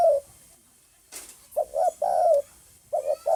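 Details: Spotted dove recorded 9 May 2020, uttering a falling coo, then after a brief click-like noise a short double note and a longer sliding coo, followed by two quick notes.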